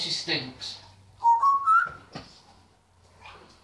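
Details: Indoor pet African grey parrot copying human speech while telling the dog to leave the living room: brief spoken-sounding syllables, then a rising whistled phrase in three steps, followed by softer mutters.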